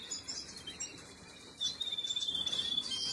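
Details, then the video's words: Canary chicks begging during feeding, 26 April 2022: faint high squeaks at first, then a fast, rhythmic run of thin high-pitched peeps over the second half. "Canary Feeding Baby"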